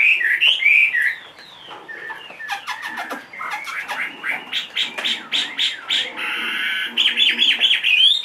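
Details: A caged Chinese hwamei, large and 2.5 years old, mixes looping whistles with rapid clicking bursts and rattling notes, then returns to fast rising whistled phrases at the close.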